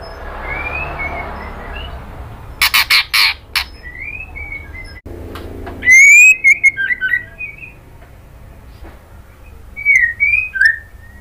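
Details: Female white-rumped shama calling the male: scattered clear whistled notes, some rising and slurred, a burst of sharp clicks midway, then a loud rapid run of whistles and a few final rising whistles against quiet low hum.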